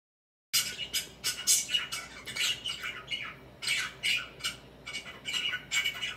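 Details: Pet budgerigar chirping while swinging and preening indoors: harsh scratchy chirps and squawky chatter in quick irregular bursts, starting after a half-second silence and running on without pause.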